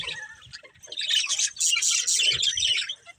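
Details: Soft scattered chirps open, then a breeding pair of budgerigars breaks into loud, rapid buzzy twittering before fading again.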